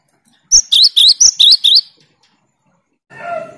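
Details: A single brisk string of six bright, ringing double notes from a cinereous tit's 'tembakan' rival-challenging song, followed by silence and a short low rasp.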